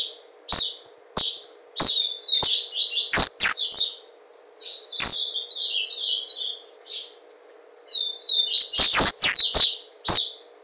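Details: Yellow-bellied seedeater (papa-capim), a caged singing bird from Garanhuns, Pernambuco, Brazil. It delivers rapid, high-pitched chattering and warbling strophes broken by brief silences, with several loud knocking clicks and a constant faint low hum.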